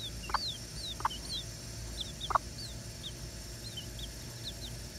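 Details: Bantam hen with her three chicks, three weeks old: thin, high, down-slurred peeps scattered throughout, joined by a few short, low clucks against steady background hum.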